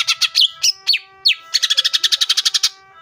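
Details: Loud, rapid greater green leafbird song for goading other leafbirds to sing: sweeping slurred notes give way to a fast, even trill of about sixteen sharp chirps, with a faint steady hum beneath.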